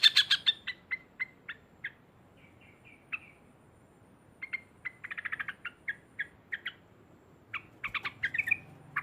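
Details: Loud sooty-headed bulbul song in ngekek and narung style, meant to stir up rival birds; scattered short chirps and brief trills, with quick bursts of clustered notes midway and near the end.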